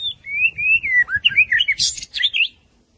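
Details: A young white-rumped shama in voice training sings a wild-type song: a fluid whistled phrase that slides and warbles upward, then a scratchy burst and quick high twittering notes over a faint low rumble.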